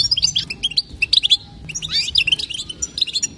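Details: Female European goldfinch calling to stimulate male goldfinches to sing: rapid bright twittering chirps, high and sharp, in dense bursts with short pauses, over a faint low hum.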